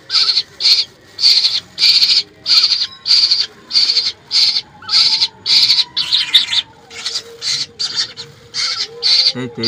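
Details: Young birds kept as pets, being fed grasshoppers at home at night, giving a long run of rasping begging screeches, roughly two per second, steady then quickening, with a person's quiet voice and rustling.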